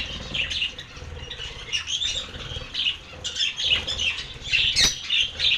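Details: Lovebirds chattering in a continuous stream of scratchy chirps and squeaks, with irregular bursts and some wing flutter.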